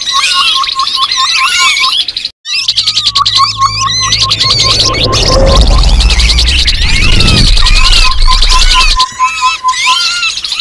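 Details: A Grey-headed babbler call used as a trapping lure: quick runs of short, hooked mid-pitched notes, roughly three a second, over a busy high twittering chorus, with a low rumble midway.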